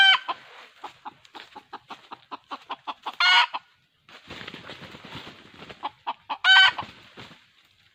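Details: Red junglefowl acting as a trapping decoy, 2020: runs of rapid clucks broken by two short loud crows about three seconds apart, with a rustling gap between them.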